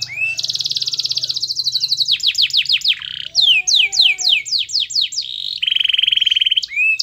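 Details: Energetic canary song from a master recording played to make other canaries sing. Long high trill, then a run of descending whistled sweeps, a lower tone, more rapid downslurs and a fast buzzy roll.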